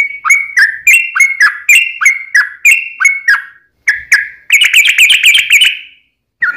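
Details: Yellow-vented bulbul in fighting song with a long trill, used as a lure to make other bulbuls sing back: repeated clear two-part notes about three per second, then a fast chattering trill.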